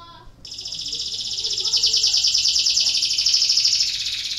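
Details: Canary song used as a lure for lazy canaries: after a brief quiet start, a continuous dense high trill runs steadily, pulsing rapidly and evenly for several seconds.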